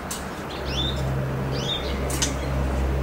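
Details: Goldfinch hybrid, two months old, singing. Two thin upward-sweeping whistled notes about a second apart, with soft clicks between, over a low steady hum.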